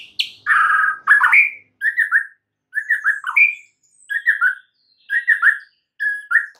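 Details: Morning song of a White-rumped shama: short rich warbled phrases with rising flourishes, delivered in bursts roughly every second with brief pauses between.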